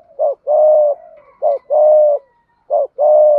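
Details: Malaysian spotted dove giving the urgent 'thúc gù' cooing style: a short low note followed by a longer sustained hoarse coo, the pair repeated three times in a steady rhythm.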